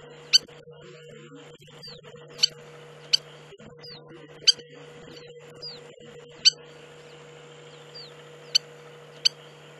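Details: Spur-winged lapwing, Hula Valley, Upper Galilee, Israel: irregularly spaced sharp metallic ticks, seven in all, some followed by faint falling whistles, over a low steady mechanical hum with occasional soft background noise.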